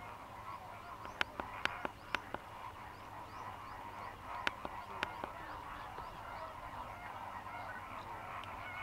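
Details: Feeding flock of migrant Greater flamingos on Mannar Island, Sri Lanka, dry season: a low continuous hubbub of nasal honking, interrupted by a string of sharp clicks in the first half.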